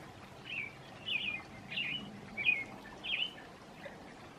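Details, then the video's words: Short stretch of a female American robin's evening song: five warbled, whistled carols spaced about two-thirds of a second apart, with soft background noise. "American Robin (Wanderdrossel) Evening Serenade"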